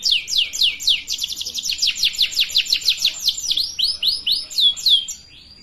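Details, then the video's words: Canary song used to teach young birds to sing: a long rapid trill of sharp down-sweeping notes, several per second, slowing near the end into a few longer slurred whistles before fading out. "Pancingan kenari paud belajar bunyi"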